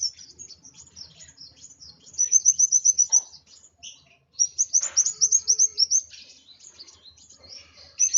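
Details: High twittering from an agitated Van Hasselt's sunbird: soft scratchy notes broken by two loud bursts of rapid, piercing repeated chips, with brief silences between phrases.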